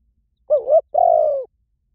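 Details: Spotted dove cooing to lure wild doves: a wavering two-part note that dips and rises, then a longer smooth coo that falls slightly at the end, in silence.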